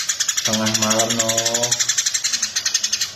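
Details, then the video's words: Eurasian tree sparrow chattering for a master recording used to train cage birds: dense, bright, high chirps repeated about four times per second throughout, with a low droning, voice-like sound overlapping near the start. "SUARA BURUNG GEREJA GACOR"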